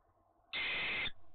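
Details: Owl at its nest box during the courting and mating season, after a nap on its first night back: one loud harsh hissing screech lasting about half a second.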